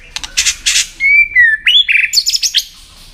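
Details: Song of a White-rumped shama kept for song contests: harsh broadband chatter, then a clear level whistle that slides down and up, followed by quick high, buzzy repeated notes.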